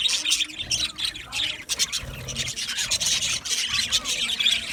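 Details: Several budgies chattering together, rasping squeaks and quick twittering notes packed tightly, with faint low thumps beneath the steady chorus.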